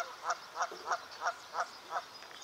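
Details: Rescued Bufflehead released at Heather Farm Park pond, Walnut Creek, California, on 12 March 2018, heading for the reeds: six short, harsh nasal notes, about three per second, over faint hiss.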